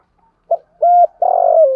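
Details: Spotted dove in the hạp bổi voice style giving one cooing phrase: a short clipped note, then a held low coo and a longer, throaty, slightly falling coo, all at a steady deep pitch.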